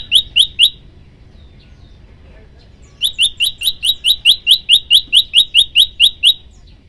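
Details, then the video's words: Prenjak lumut prinia in a tutor recording of a long burst: three piercing, very high ticking notes, a short silence, then a fast, regular run of about fifteen sharp notes that rise slightly in pitch. "tembakan 40 detik sekali napas masteran prenjak lumut"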